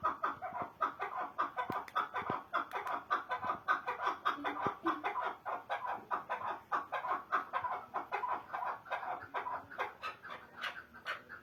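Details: Chukar partridge: steady, rhythmic series of short, hoarse chuck notes repeated nearly twice per second throughout, with a few faint clicks in the background.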